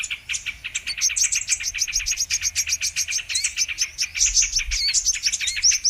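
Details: Brown-throated sunbird song as a lure for trapping birds: steady torrent of very rapid, high, scratchy chirps with interspersed curling whistled notes toward the end.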